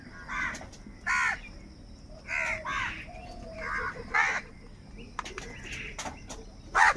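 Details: Crows fighting for food caw repeatedly, with rough, nasal calls at uneven intervals, some in quick pairs. Sharp clicks and short higher squeaks follow near the end.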